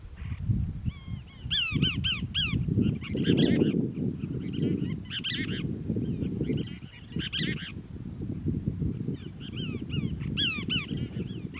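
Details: Cassin's Kingbird family near a castor bean shrub in Moro Canyon, Crystal Cove State Park, California, on 19 December 2021. Harsh, downward-arched nasal notes come in quick, repeated bursts over a steady low rumble of wind or distant noise.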